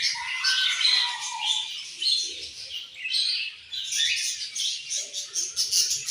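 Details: Several pet budgerigars chatter in a continuous warbling stream of high, scratchy chirps and twittering notes, with a few lower squeaky phrases near the start and soft clicks underneath.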